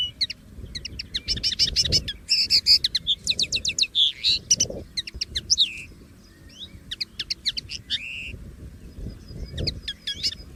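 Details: Wild common linnet singing free in nature: a long, fast, varied twittering song of clipped chirps, buzzy rattles and short nasal trills, pausing briefly midway before resuming; light low background rumble.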